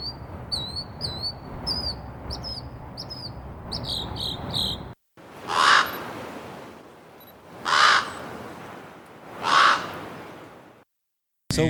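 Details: Northern mockingbird singing outside a bedroom window in the morning, San Francisco area, bright high whistled phrases each repeated several times, followed by three harsh caws of a crow in a redwood forest.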